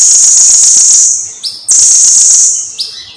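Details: Blue-crowned hanging parrot from a long singing-tutor recording: a continuous high, hissing trill that fades out, a few faint upslurred notes, then another strong trill.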